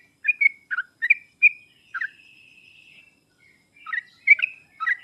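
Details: Sooty-headed bulbul song meant to provoke a reluctant bird into answering; liquid, bubbly whistled notes in quick groups, a thin drawn-out whistle in the middle, then more chirpy phrases.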